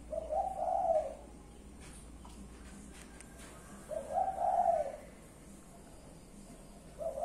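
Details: Spotted dove from a kept collection cooing: two low, mellow, rolling phrases about three seconds apart, with a third just beginning, against a faint indoor hum.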